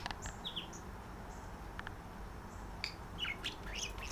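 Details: Visiting female and resident male budgies call to each other after being put away for the night, flirting; faint, thin, falling tweets early, then a closer cluster of bright chirps near the end over steady hiss.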